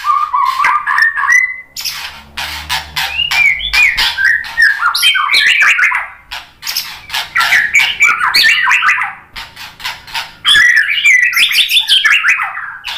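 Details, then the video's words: Song of a White-rumped shama aimed at provoking fighting males: continuous fast medley of warbled whistles and harsh chatter, many notes per second, with brief pauses between bursts and faint low background hum. "SUARA MURAI BATU bikin EMOSI FIGTHER jadi NYAUT GACOR BONGKAR MATERI ISIAN ¦ PANCINGAN MURAI"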